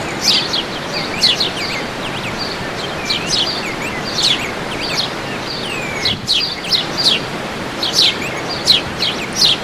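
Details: Wild birds singing at El Salto, Oratorio Santa Rosa, in a natural setting; several overlapping high, quick downslurred chirps and short sweeping whistles recur irregularly over a steady broad rushing background.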